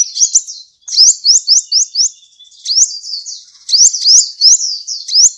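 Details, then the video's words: Competition sunbird, billed as a 2014 international champion, delivering loud, piercing high notes, each a quick rising sweep, repeated rapidly in rhythmic bursts of four to five with short gaps between. "BURUNG KOLIBRI GACOR JUARA INTERNASIONAL 2014"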